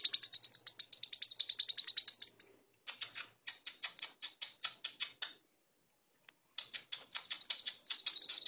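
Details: A brown-throated sunbird sings a rapid, high, sibilant run of chirps and thin trills, about four notes a second, with a brief pause midway; its song reportedly includes lovebird-like material.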